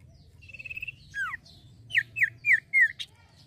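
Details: Male common iora in full song: a steady trilled whistle rising in strength, a pair of falling slurs, then four evenly spaced, sharp downslurred whistles about a quarter second apart.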